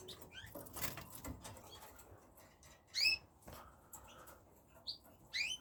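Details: Red factor canaries utter brief rising chirps and sharp upslurred call notes, one loud note near the middle and another at the end, separated by quieter pauses with low rustling and light tapping.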